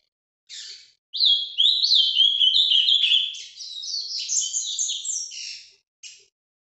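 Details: Ultramarine grosbeak (azulão) singing the song style called Paraná vinte vinte: a fast, warbled run of high, sweeping whistled notes lasting about four seconds, with a short note before and after, on a silent background.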